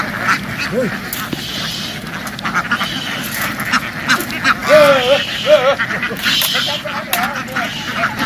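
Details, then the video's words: Farm ducks in a field rushing into water and back onto land; a noisy flock with several clear wavering quacks standing out midway over constant chatter and splashing. "The ducks ran happily into the water and quickly jumped ashore, making a loud noise in the field."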